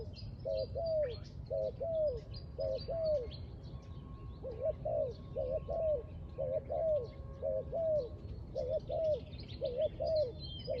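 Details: Coos of a spotted dove at a bird trap, a short doubled note then a drawn-out falling coo, repeated in a steady run after a brief gap; twittering small birds and a low hum underneath.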